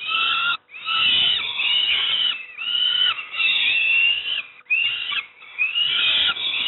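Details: Peregrine falcon young fed breakfast at Moszna near Pruszków, Poland; insistent harsh begging screeches, several rising at their ends, in repeated bursts of one to two seconds.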